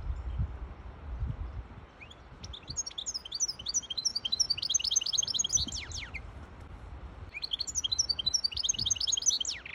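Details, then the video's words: A hybrid goldfinch sings two bursts of quick, high twittering phrases with descending slurred notes, separated by a short pause. The song serves to teach fledglings and to excite the female into mating posture. "تغريد طائر هجين الحسون لتسميع الفراخ و لتهييج انتى الحسون"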